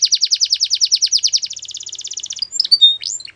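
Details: Canary song: a rapid string of repeated chip-like syllables that speeds into a finer trill, followed by a few brief high whistles and slurred notes.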